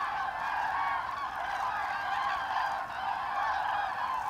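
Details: Migrating flock of common cranes passing over Hesse, Germany, in autumn, 25 October 2021. Many birds trumpet at once, their rolling, slightly wavering calls merging into an unbroken, even chorus with no gaps.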